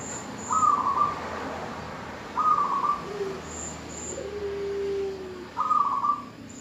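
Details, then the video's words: Female zebra dove calling the male to lure him into singing: three brief, quickly pulsed cooing bursts about every two to three seconds, with a lower drawn-out tone between them and faint high whistling notes behind. "perkutut betina memanggil jantan suara PALING BERHASIL memancing perkutut jantan langsung MANGGUNG"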